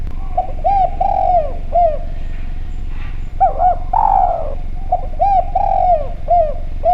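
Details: Spotted dove cooing, used as a lure recording to prompt other doves to call: low, clear, hollow coo phrases in short repeated sequences, with one longer, drawn-out coo in the middle, over a steady low hum.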